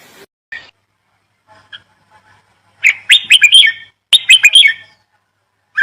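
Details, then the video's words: A bird giving sharp, bright chirps in two clustered bursts of rapid, rising-and-falling notes, with scattered soft single peeps before them and quiet pauses between. "Birds chirping sound"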